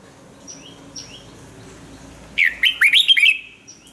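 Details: Red-whiskered bulbul, a decoy bird used for voice training, singing one short burst of loud warbled, slurred notes about a second long after quiet, with faint high thin whistles from other birds earlier.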